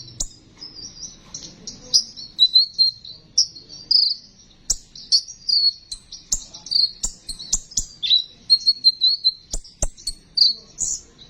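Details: Sunbird singing, a recording used to entice sunbirds to sing: twittering high notes and thin sliding whistles, delivered in rapid bursts with brief pauses, plus scattered sharp ticks.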